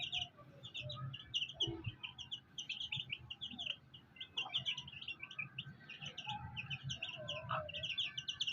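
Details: Black hen with fighter chicks: a dense chorus of high, rapid peeps from many chicks runs throughout, with a few lower soft clucks and steady background rumble.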